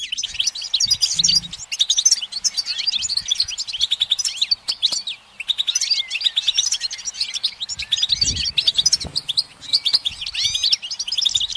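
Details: Perched goldfinch pouring out a long, unbroken stream of rapid twitters, metallic chips and rising slurred whistles, with a brief lull just before five seconds and faint low thumps in the background.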